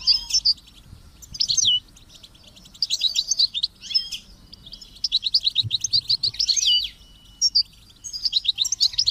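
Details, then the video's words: Captive European goldfinches and chirping chicks recorded to train singing: lively bursts of high, tinkling twitters and trills in several phrases, separated by brief pauses. "Memorizing Training and Motivating Goldfinches and Chicks Chirps"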